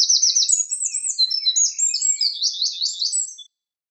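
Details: Loud, hurried wren song of sharp high twitters and rolling trills, fainter lower notes beneath, lasting about three and a half seconds before stopping; otherwise silent.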